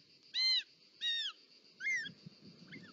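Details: Short-toed snake eagle, nest in Parc Natural dels Ports, Catalonia, 18 July 2024, mother delivering a snake: three loud, clear, arched whistles with bright overtones, then a fainter fourth note, over soft rustling and hum.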